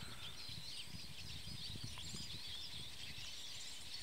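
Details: A flock of Eurasian siskins arrived together, preening at ease up in a tree; a continuous wash of thin, high twittering and chirps from many birds over a steady low rumble of background noise.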